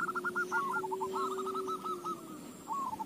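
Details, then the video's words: Zebra dove used as a lure to get other doves singing gives quick runs of soft, stuttering cooing notes in bursts, over a steady low hum. "KUTUTMU JADI GACOR"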